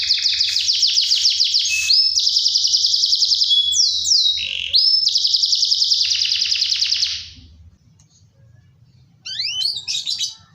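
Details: Canary song used to prompt other canaries, including lazy males and breeding females, to sing: fast rolled trills and buzzy rattles, downward whistled slides and sharp sweeps, a pause, then a few high rising notes, with faint low hum beneath.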